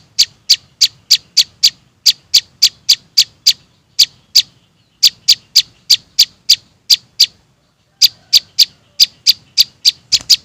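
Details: Young prinias calling as a trapping lure for small birds: bursts of rapid, sharp high chirps separated by pauses, quickening into a tight cluster at the end.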